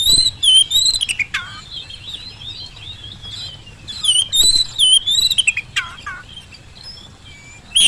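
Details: Oriental magpie-robin song meant to trigger answers from lazy birds; a loud opening flourish of whistles and falling notes, a quieter rambling middle, then a second loud warbled burst and more downslurs.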